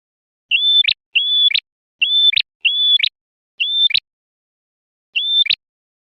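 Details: Male red prenjak (prinia) song used as a lure for trapping and to provoke rival males: clear, identical phrases, each a level whistled note ending in a sharp rising flick, repeated six times with short pauses, on a silent background.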